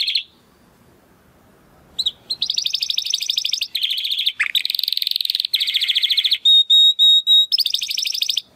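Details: Timbrado Español canary male, born 2020 to rated parents, giving a training song: after a short pause, rapid rattling trills, a dipping slur, and several long pure whistled notes.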